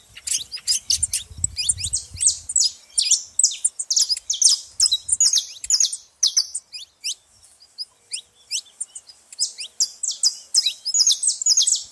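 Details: Saffron finch loudly active at a feeder: a long, energetic stream of high, clipped chirps and buzzy phrases, briefly pausing midway before resuming in dense bursts.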